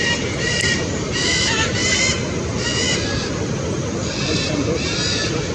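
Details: Macaws in Ecuador give harsh, raspy squawks in short bursts about every half second to second, over a steady low rumble of background noise.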